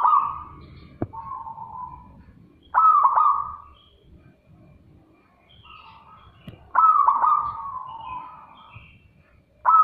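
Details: Zebra dove giving loud, clear calls: two strong cooing phrases, each opening with quick stuttered pulses and then swelling into a long, level, gradually fading note, with softer similar notes between them over low background noise.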